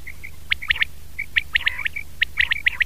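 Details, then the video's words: Batair, the common quail, recorded in 2019: quick triplets of sharp high notes interleaved with thin whistled tones, delivered rapidly over a low droning hum. "Batair ki Awaz , Batair Sound vol 33 , Common Quail Sound"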